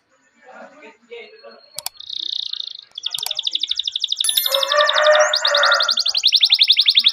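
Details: Canary singing a long rolling training song used as a lure for young canaries: a buzzy trill near mid-pitch, then fast repeated high rolling notes, with a burst of lower harsher chatter underneath.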